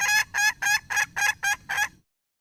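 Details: Wild red junglefowl hen calling in seven evenly spaced, reedy, honking clucks over two seconds, then falling silent.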